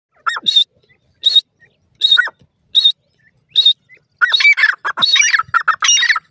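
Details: Ring-necked pheasant with chicks: sharp, high, clipped notes about once a second, then a busy jumble of overlapping chirps and peeps from several birds.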